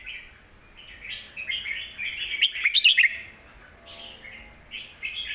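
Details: Red-whiskered bulbul kept as a cage bird, singing a deep, full song to teach young birds. Soft warbles build into a loud stretch with sharp clicks and bright notes, then fade to short phrases.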